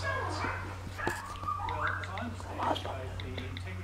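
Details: A female Eclectus parrot mimics human speech, said to call "Allah" when she gets sleepy, in soft, whispery, word-like phrases over a steady low hum.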